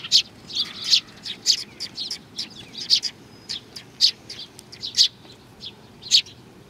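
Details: Several sparrows coming for food at Tenmangu, Nakanoshima, on 21 June 2020: bright, short chirps and tweets from several birds, overlapping and repeated irregularly several times a second, over quiet background.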